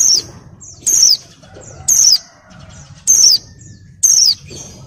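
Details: Breeding-condition female white-eye, molting, giving its ngalas call to attract males: five piercing, thin whistles sliding downward, each brief, spaced about one second apart, with faint low murmur underneath.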